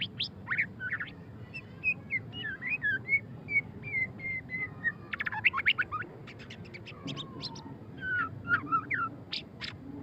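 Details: A white-rumped shama in ngeriwik style opens with a run of clear descending whistles, then breaks into dense clusters of sharp clicking chips and slurred notes, backed by faint steady hum.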